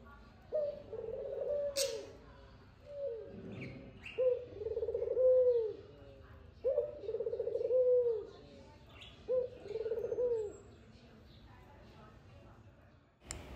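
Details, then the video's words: A dove gives soft, low, hollow coos in four drawn-out phrases, each about a second and a half, repeated every few seconds, so sweet that nearby budgerigars seem to quiet down and listen; faint clicks and room noise. "ঘুঘু পাখির এত মধুর সুর বাজরিগার পাখিরাও যেন শান্ত হয়ে শোনার চেষ্টা করছে।"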